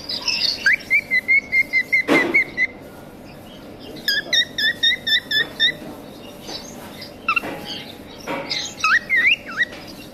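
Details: An aviary pet cockatiel gives quick runs of bright, whistled chirps, with a sharp rising and falling whistle near the end.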